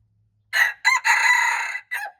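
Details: A red junglefowl recorded March 2, 2025 crows once: a short note, a second brief note, a prolonged even harsh tone of nearly a second, then a short falling finish, in a quiet setting.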